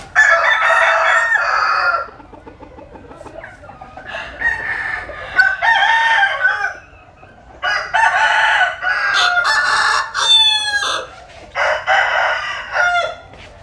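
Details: Several roosters sunbathing in rural southern Vietnam crow in turn: long, loud, harsh crows of about two seconds each, separated by quieter clucking gaps, one with bright stacked harmonics.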